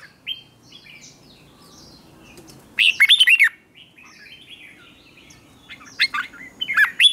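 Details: Morning song of a red-whiskered bulbul used to spur other birds into contest singing; a short loud run of rapid warbled notes, then softer scattered whistles before another burst at the end.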